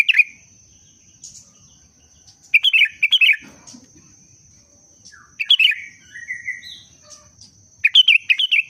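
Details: Breeding-condition sooty-headed bulbul singing bright, warbled phrases of quick liquid notes in clusters separated by pauses of about two to three seconds, over a constant faint high-pitched whine.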